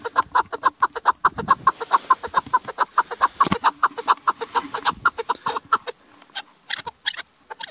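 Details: Female chukar partridge, a call used by hunters in hunting season: a fast, steady run of harsh, clucking chuck notes, several each second, with no other clear sounds.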